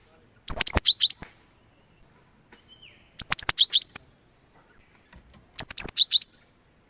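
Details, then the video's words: Cinereous tit (gelatik batu) call played as a lure for trapping wild birds: three bursts of sharp high chips and short twittering notes, each about half a second long and roughly 2.5 seconds apart, over a steady thin high whine. "suara Gelatik Batu Pikat sangat Baik Untuk Mikat Burung Gelatik Liar"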